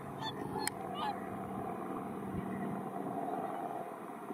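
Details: A mixed flock of about 100 Whooper and Tundra swans feeds on fallen rice grain in a rice paddy in Iwanuma, Miyagi, Japan, on 4 December 2023. They keep up a dense chorus of overlapping nasal honks and bugles, with many distracted by a helicopter overhead, over low rumble.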